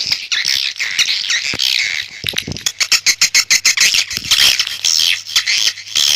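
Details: Swiftlet calls: high, harsh twittering at the start, then a run of rapid, regular dry clicks around the middle before the squeaky chorus returns.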